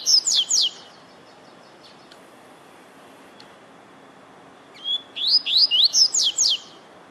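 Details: Warming-up song of a rusty-collared seedeater: a short burst of quick sharp notes, a pause of about four seconds, then a long whistle followed by a run of rapid slurred, chirping phrases over soft hiss.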